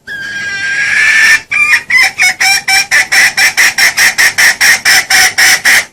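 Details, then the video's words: Loud, clear junglefowl lure call from Indonesia: a drawn-out squawking phrase gives way to a rapid, evenly spaced train of sharp clucks, close to four per second. "SUARA PIKAT AYAM HUTAN JERNIH & KERAS"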